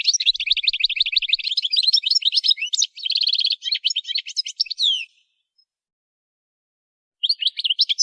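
Goldfinch song: a fast, bright tumble of high twitters, trills and buzzy notes running for five seconds, then a pause before it resumes.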